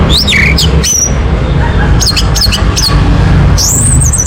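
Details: Orange-headed thrush lure song to make a bird sing: high whistled swoops and short sharp notes in loose bursts, ending in a long wavering whistle, with a steady low rumble beneath.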